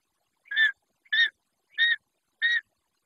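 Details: Long-legged buzzard chick at a nest in the Judean Desert, Israel, recorded by a nest camera: four short, harsh squeals spaced about two-thirds of a second apart, evenly repeated with silence between them.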